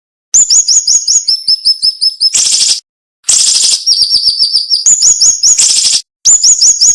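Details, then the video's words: Cinnamon-bellied flowerpecker giving a sharp, dense song meant for tutoring cage birds: fast repeated high slurred whistles stepping between pitches, broken by coarse buzzy bursts and two short silences. "MASTERAN SUARA BURUNG SIRI SIRI NEMBAK TAJAM"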